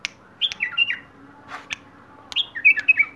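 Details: Wild bulbul song in two phrases of quick, warbled whistles that step downward, with sharp tapping clicks between them and a steady faint hum underneath.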